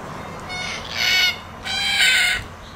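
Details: Red-tailed black cockatoo giving two loud, harsh, drawn-out screeching calls, each lasting almost a second, close and clear.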